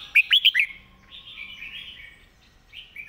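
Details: Red-whiskered bulbul singing a model song meant for training other birds: three or four bright, quick, rising whistles open the phrase, followed by quieter, drawn-out warbling.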